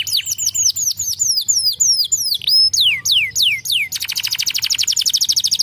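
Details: Canary in song: rapid series of high whistled notes sliding downward, repeated in quick succession, then a long fast rattling trill of evenly pulsed buzzy notes filling the last two seconds.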